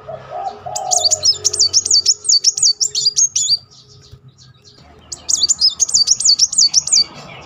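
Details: Van Hasselt's sunbird delivering rapid 'nembak' bursts meant to provoke other birds into song. Two long, high, quickly oscillating trills with a quiet gap between them, plus a brief low cooing note at the start.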